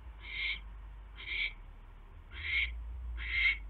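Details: Owl at the nest when a mouse is delivered on the evening of 29 January: four harsh, breathy, hissing screeches, loudest at the end, over a low rumbling background.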